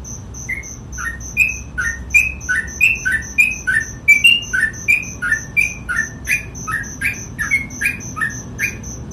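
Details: Sooty-headed bulbul delivering continuous gacor ropel song, an unbroken string of short slurred whistles, alternating lower and higher notes in rapid rhythm, backed by a constant high-pitched ticking pulse.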